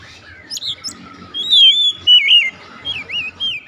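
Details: Oriental magpie-robin in immediate song, giving sweet wavering whistles that rise and fall, a long drawn sliding note at the centre, then short looping phrases, over a soft low background hum.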